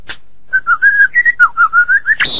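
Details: Medan white-rumped shama in gacor form: a quick evenly spaced series of about ten short pure whistles at one pitch, ending in a noisy burst and a high tone.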